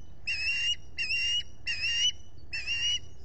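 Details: Osprey call from a solar-powered nest camera in the Finger Lakes, US, on 23 July 2021 as a visitor came by: four clear, even, high whistled notes, each about a third of a second long.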